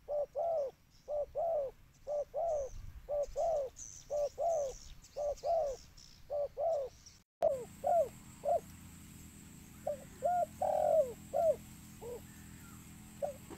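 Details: Spotted dove lure call with a rapid series of paired low coos, then after a break sparser, softer coos over a louder hiss and hum; faint high chirps in the first half.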